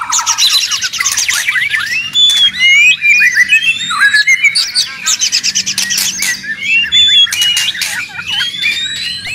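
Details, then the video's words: White-rumped shama in noisy training audio for songbirds: dense bursts of rapid trills, bright sliding whistles and harsh chatter, delivered in quick, tightly packed phrases. "Murai ribut Sangat berisik."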